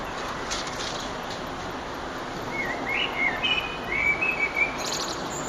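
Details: Eurasian blackbird at sunset, recorded 9 June 2011, delivering a rich warbling phrase of several flute-like notes in the second half, preceded by quiet hissy background.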